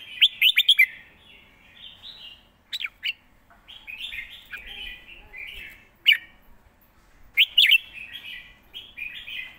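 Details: A caged red-whiskered bulbul sings live in the quick 'rik' style. Fast bursts of sharp notes alternate with a long stretch of softer, slurred warbling.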